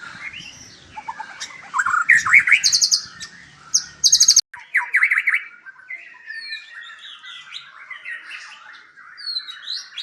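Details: White-rumped shama kept at a breeding farm in Palembang, Indonesia, sings busy mixed phrases: bursts of harsh buzzy rattles alternate with quick slurred whistles, followed by a softer, rambling warble; other birds possibly overlapping.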